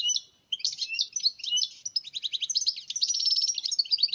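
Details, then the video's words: Wild European goldfinch from Algeria delivering a continuous, fast, high-pitched twittering song of liquid chirps and buzzy trills, growing denser and louder toward the end. "تغريد حسون بري"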